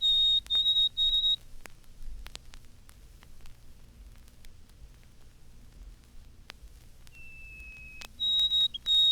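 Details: A White-throated Sparrow sings on a spring morning its high-pitched "Poor Sam Peabody" whistle: a few clear held tones, then a lower whistle and a high one after a quiet gap with faint clicks, on a 1954 recording.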